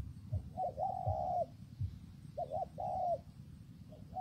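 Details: In rainy, windy weather a spotted dove gives two clear coo phrases, a pair of quick notes then a smooth sustained tone, about a second and a half apart, with faint low rumbling.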